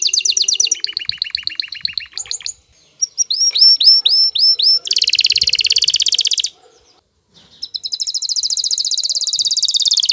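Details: Courting male canary, worked up and singing at a female to get her into mating posture; the song switches quickly between tours: stuttering trills, a run of six upward-flicked notes, a dense buzzy roll, and a long shimmering trill after a pause.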